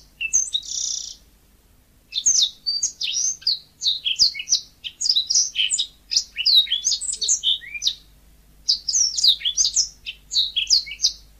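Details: Yellow-fronted canary (burung mozambik) in a lively song of rapid, high, slurred whistles and chirps in bursts of several seconds, one buzzy note at the start, short pauses between phrases.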